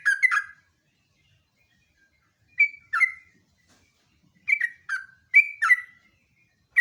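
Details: Sooty-headed bulbul singing lively bursts, used to lure and tutor birds: short pairs and trios of slurred whistled notes separated by gaps of one to two seconds.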